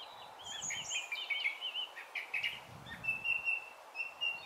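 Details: A song thrush in Brighton in June 2020 sings bright, looping whistled phrases, repeating short motifs, over a steady background hiss like distant traffic.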